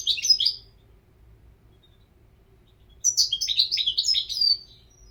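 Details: European goldfinch singing: a brief burst of liquid, tinkling twitters, a three-second pause, then a longer run of fast, jangling, high notes rising and falling.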